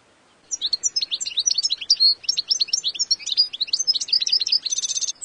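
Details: Wild European goldfinch, whose song is unique to each bird, pours out a fluent stream of tinkling, chattering twitters, closing with a dry buzzing trill.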